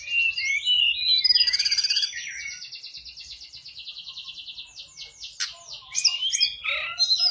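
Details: Sunda robin, mountain bird kept as a lure, in full song: a buzzy rattling trill lasting several seconds, then sharp scattered whistles and chattering notes.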